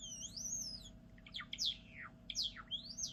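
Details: Java sparrow singing a dense string of high, fluid whistles that rise and fall, with bell-like slurred notes and short clicks between them, over a faint low hum.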